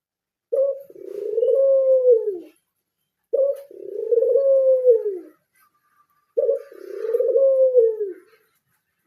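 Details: Kept Barbary dove of the pied 'blorok' type repeating three low mellow coos, each a brief sharp start and a sustained rolling coo that dips down at the close, spaced roughly three seconds apart, in a quiet room.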